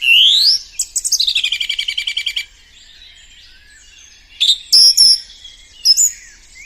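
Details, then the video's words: Song thrush singing: a rising whistle, then a rapid rattling series of about fifteen repeated notes, a pause, and a few sharp high whistled phrases. "Now let us listen voice of the song thrush bird, how it is singing."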